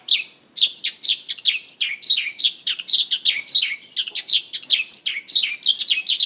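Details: A Mongolian lark sings while dancing on stage, delivering a dense, continuous run of sharp, high, downslurred chirps and sweet whistles after a short quiet start.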